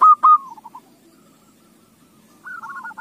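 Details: Zebra dove song played as a lure to prompt other doves to sing: two loud clipped coos, a few soft trailing notes, a second of near silence, then a quieter wavering coo phrase.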